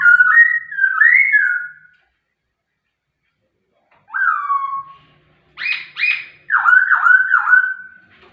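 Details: White-rumped shama song in separate bursts: slurred whistles, a long pause, then a descending whistle, sharp rising notes and a quick run of rolling repeated whistles; a faint low hum underneath.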